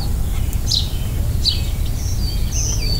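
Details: During spring migration in the Northeast, a Black-throated Green Warbler (Setophaga virens), a canopy and forest-edge bird, sings high, thin, buzzy notes. The song is clearest as a short zee-zee-zoo-zee phrase near the end, over a steady low rumble.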